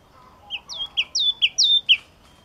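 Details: Yellow-cheeked tit singing a short run of clear whistled notes, each high note sliding down into a held tone, several in quick succession over a quiet background.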